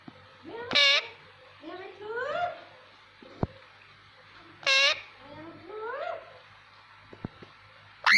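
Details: Ringneck parakeet indoors mixing talk with whistling in different voices: sharp bright whistle bursts at intervals of about four seconds, each followed by softer rising, slurred notes that sound like mimicked speech.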